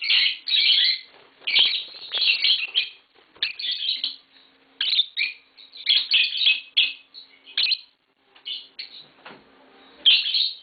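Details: Pet green Fischer's lovebird pair giving sharp, high, scratchy chirp bursts in irregular clusters separated by short silences, with a few softer squeaks near the end.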